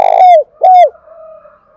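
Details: Spotted dove calling to stimulate another dove: two strong, clear coos, each held level then sliding down, with a faint steady hum afterwards.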